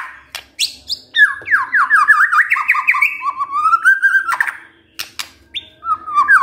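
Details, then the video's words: White-rumped shama performing kretekan to rouse emotion: rapid run of looping whistled notes rising and falling, some sharp clicks and brief high squeaks, faint room hum beneath. "KRETEKAN MURAI BATU pendongkrak EMOSI✅✅ shama bird✅"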